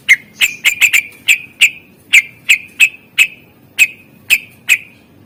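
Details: Fill-in song of a greater green leafbird from a master recording used to prompt quiet birds. Loud, sharp clipped notes repeat unevenly, about forty a minute, sometimes in quick pairs.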